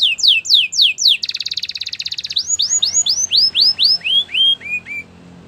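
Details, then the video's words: Belgian canary singing a training song: fast downslurred whistled notes repeated about four per second, then a rapid buzzy trill, then a run of clear descending whistles slowing toward the end. "Canary songs for training | Belgian canary singing"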